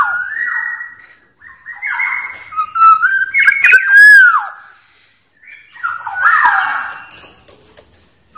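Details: Black-naped oriole (kepodang) giving loud fluted whistles: several liquid phrases that slide up and down, each ending in a downward slur, separated by short pauses.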